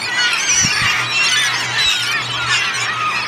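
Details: Mass of feeding gulls, with terns among them, on a Danish North Sea beach on Fanø in mid-August: an unbroken wall of shrill, overlapping yelping and squealing cries, with a constant low droning hum underneath.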